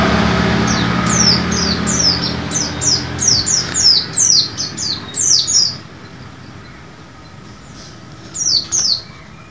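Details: White-eye song meant to prompt caged birds to sing: a fast series of high, thin notes, each sliding steeply downward, packed closely for about six seconds, then a pause and a final short burst.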